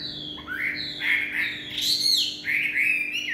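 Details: Rich, loud whistled song of a Chinese hwamei in the evening: long sliding notes that swoop up and down, a brief high ringing phrase, then more fluid rising whistles.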